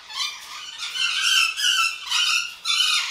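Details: A male golden conure kept about five years in an aviary gives a run of harsh, raspy, high screeches, about five loud squawks in three seconds, each with a slight rise. His owner calls him quiet.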